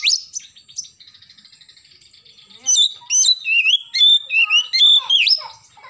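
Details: An oriental magpie-robin in morning song: a brief whistle and soft rattling chatter, then a loud run of varied whistled notes, some steady, some sliding up and down, delivered in quick succession.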